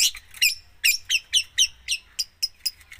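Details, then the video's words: Long-tailed shrike singing in lively 'gacor full isian' style: a steady series of sharp, high, downslurred chip notes, about four per second, each one bright and clipped, with faint low hum underneath. "cendet gacor full isian"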